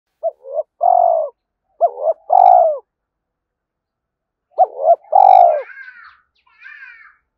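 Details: Spotted dove decoy coo, used to provoke and lure wild males: two short rising notes then a long, low, throbbing coo, repeated twice, followed by thin, higher chirps from another bird.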